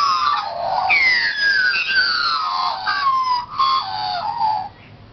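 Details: A family of Australian magpies on the Gold Coast, Australia, fills a neighbourhood with loud, fluting warbles and gliding, yodel-like notes that overlap richly, broken by one brief pause before trailing off.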